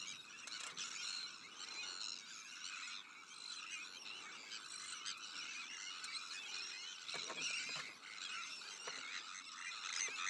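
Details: Continuous clamor at a Sandwich tern breeding colony, with black-headed gulls, arctic terns and common terns as neighbours: layered harsh, creaking calls, occasional sharper peaks and faint clicks.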